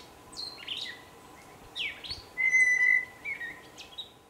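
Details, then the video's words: A blue jay singing while performing a little dance gives a few squeaky, sliding notes, then a clear, level, bell-like whistled tone held for about half a second, followed by softer short notes. "Blue Jay - Song"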